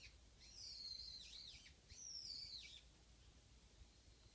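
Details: Japanese white-eye, a lone bird visiting a backyard where a pair once came, gives two high, thin warbling phrases about a second apart, each sliding slightly downward, over a quiet background.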